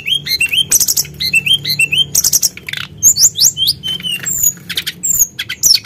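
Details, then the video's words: Sunda blue robin in vigorous, nonstop song used as a lure to stir other birds: high, rapid phrases of rising whistled notes repeated in short runs, mixed with sharp clicks and scratchy trills, with no other sounds. "Pancingan Emosi Burung Tledekan Gunung Gacor"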